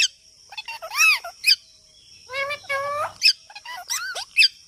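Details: Talking parrot in its natural voice: speech-like phrases with bent, arching harmonic notes, a short babbling stretch in the middle and sharp squeaky accents at the ends; steady high whine in the background.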